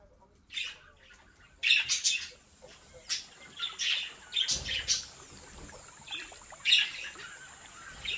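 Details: Captive budgerigars from a home breeding aviary, giving sharp, bright chirps in short bursts. Several calls cluster near two seconds, with more scattered through the clip over a steady high background hiss.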